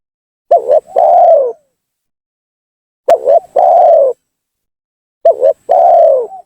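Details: Spotted dove lure call for trapping, meant to make rival doves come down: three clean phrases roughly every two and a half seconds, each two rapid clipped coos then a long, slightly falling coo.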